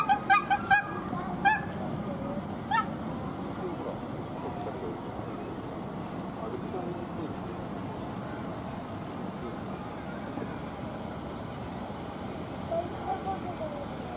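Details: A red-crowned crane at Ueno Zoo, Tokyo, Japan, gives a quick burst of loud ringing trumpet notes early on, then one faint note near the end, over a steady murmur of visitors' voices and low rumble.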